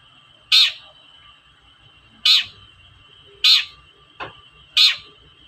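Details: Long-tailed shrike giving harsh toet notes as a lure for shrikes reluctant to sing; four loud clipped calls at uneven intervals of one to two seconds, plus one softer click, over a steady high hum.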